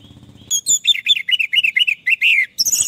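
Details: Orange-headed thrush song meant to help stressed, silent birds sing again: a lively string of varied, bouncing whistled notes, some sliding down, ending in a high, thin twitter.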